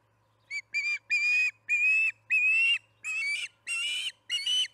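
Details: Osprey at the Charlo nest during evening feeding, 6pm, July 9, 2019, calling in a quickening run of piercing whistled notes that start short and soft, then lengthen and grow louder, eight in under five seconds.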